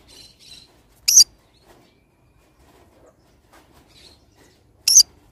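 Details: Green-cheeked conure, pineapple colour form, gives two sharp, grating shrieks almost four seconds apart, with faint squeaky chatter before the first and in the gap between.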